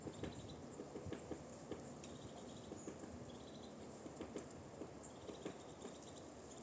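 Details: Woodpecker knocking on a tree in a forest, heard during a walk: faint, irregular single taps, sometimes in quick pairs, spaced about half a second apart, with thin high bird calls and soft forest background.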